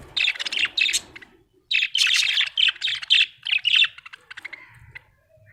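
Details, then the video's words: Happy budgerigar chirping in a steady stream of high, buzzy, chattering notes and warbles, delivered in dense runs with brief gaps, fairly clean and close. "Happy budgie chirping sound"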